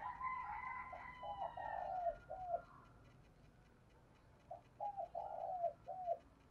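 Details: Spotted dove decoy coo meant to attract wild doves, heard at a distance over a steady hiss. Hollow hooked notes and a drawn-out rolling coo repeat in two phrases, with faint higher bird notes early on.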